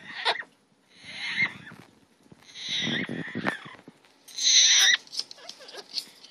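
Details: Two pet Double Yellow-headed Amazon parrots give harsh, raspy squawks and chattering bursts in uneven spurts, ending in a loud, shrill screech.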